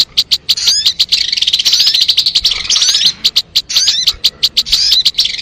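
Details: Crimson sunbird recording for catching birds: lively, high twittering with slurred squeaky notes over rapid, shrill chips, in phrases broken by short pauses.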